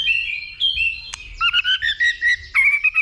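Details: Fighting song of a white-rumped shama stirred by a female, 'dìu bổi' style. Clear fluting whistles, a sharp click near the middle, then quick bursts of two-toned warbled notes repeated about every quarter second.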